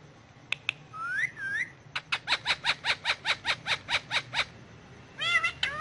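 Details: Indian ringneck parakeet on pillows, filmed talking in Urdu/Hindi; two clicks and a wavering whistle, then a steady run of about fourteen loud harsh squawks, roughly three per second, closing with arched chatter.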